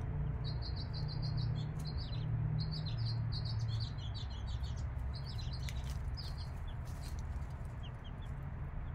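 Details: Five-day-old chicks with their mother hen: rapid runs of high, thin, downward-slurred peeps, many in quick succession, then sparser calls, over a steady low hum.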